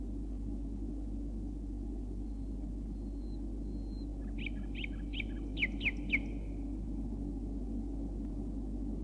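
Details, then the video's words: A male common nightingale in Bulgaria gives a short song phrase: a thin faint whistle, then a quick run of sharp repeated notes, over a steady low hum. "едва ли има човек който да не е чувал за вълшебните песни на крилатия маестро славея"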